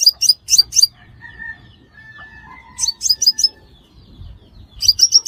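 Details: Sunbird, named as the five-coloured sunbird, calling as a trapping lure: quick runs of piercing high chirps at the start, middle and end, separated by quieter drawn-out lower whistles.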